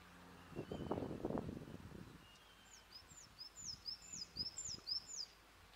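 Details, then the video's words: Coal tit (Periparus ater) at Torry, Aberdeen, Scotland, giving a run of thin, high, quick downslurred notes, about four a second, after a burst of low rustling and handling noise. "Coal tit"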